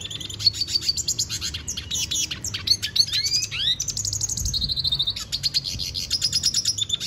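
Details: Venezuelan goldfinch singing a lot: a fast, continuous warble of high twittering notes, rapid trills and upward-sweeping whistles that runs without a break through the whole passage.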